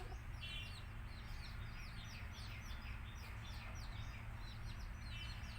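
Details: Baby country chicks being reared, chirping: a dense chorus of high, short, down-slurred peeps overlapping continuously, with a steady low hum underneath.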